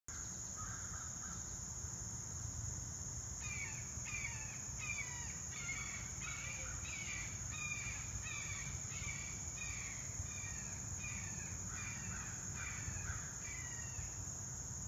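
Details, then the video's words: A hawk gives a run of harsh, scratchy calls, about two a second, over a steady high insect drone and a low background rumble, then flies away. "Hawk calls"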